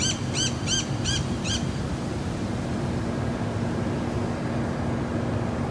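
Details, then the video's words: Wild conure parrots in Laredo, Texas, giving five quick, harsh, ringing calls in the first second and a half, then only a low steady outdoor rumble. "Wild conure parrots"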